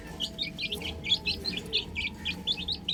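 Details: Chicken chicks playing on a roof: about a dozen clear, shrill, downward-slurred peeps follow each other at a quick even pace, with several chicks overlapping.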